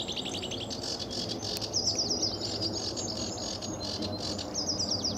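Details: Early morning sedge warbler song at RSPB Fowlmere, July 2013, in blue-sky sunshine: grating chatters mixed with quick, thin descending note groups, with steady low noise behind.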